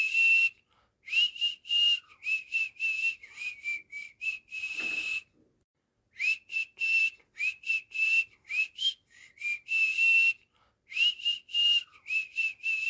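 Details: Cockatiel (Nymphicus hollandicus) whistled calls, used as teaching sounds for cockatiels and parrots: bright, high whistled notes in quick runs, broken by brief pauses.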